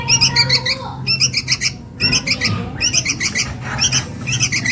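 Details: Chick of sooty-headed bulbul calling its mother as a lure: grating chirp bursts in quick runs with short breaks, plus a faint steady whistle-like tone early on.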